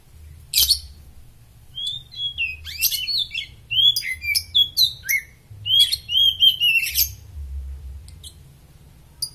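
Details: Superfit Oriental magpie-robin singing as a master voice for training birds: a sharp opening note, then a lively mix of slurred whistles, high squeaks and quick chatter, ending in scattered soft chips.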